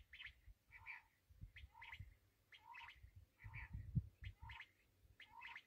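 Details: Black francolin calling: short harsh grating phrases repeat about every half second to second, each mixing a lower rising note with higher scratchy notes, over steady low rumble and thumps.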